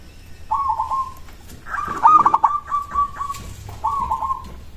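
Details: Song of a local zebra dove used to draw replies from other doves: a short cooing phrase, a louder, longer stuttering run of pulsed notes, then another brief phrase, with soft background noise.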